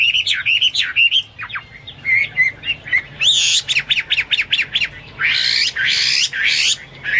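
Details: Hwamei in full song: loud rapid whistled notes, a burst of sharp repeated downslurred chips, then harsher buzzy phrases, delivered without pause.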